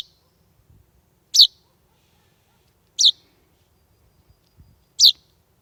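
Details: A young chaffinch that had hopped onto a front doorstep on a warm summer evening, around 8:30 pm on 16 July 2020, gives short, high, sharp chirps, one every one and a half to two seconds, against a quiet background; no parent came.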